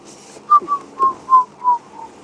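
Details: At sunset on an African safari drive on 29 April 2016, a Burchell's Coucal (Rain Bird) calls in the distance: a run of six soft, hollow hooting notes, about three per second, sinking slightly in pitch, over faint hiss.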